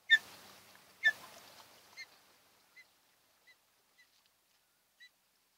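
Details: Wild osprey pair at their nest on Kent Island, Maryland, on 28 June 2018 around 5:30 in the morning; sharp whistled chirps, two loud ones followed by a spaced series growing fainter, roughly one every second, with faint background rustle.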